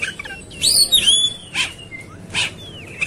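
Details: Oriental magpie-robin, roused and fighting, gives sweeping whistled notes that rise and fall, followed by harsh rasping bursts and a soft slurred whistle.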